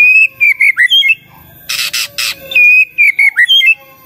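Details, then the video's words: White-rumped shama giving a song that prompts other shamas to respond: clear whistled phrases repeated in short groups, broken in the middle by two harsh broadband bursts. "belum 1 menit SUDAH BANYAK murai lain IKUT NYAUT dan GACOR dengar ini"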